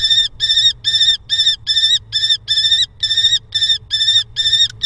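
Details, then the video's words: Common kestrel in Hoogeveen, Netherlands, on 6 April 2021, as the male brings a mouse to the female. Sharp, bright, harmonic notes come in a steady series, about eleven of them at roughly two per second, over quiet low background noise. "Common Kestrel ~ Dad With Mouse Snack For Mom"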